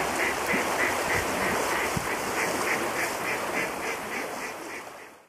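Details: Mallards on the Alte Jeetzel river in Dannenberg, 31 December 2012 and 23 January 2013, recorded on a Canon IXUS 500 HS camera: a rapid, even run of nasal quacks, roughly three each second, over steady broadband background hiss.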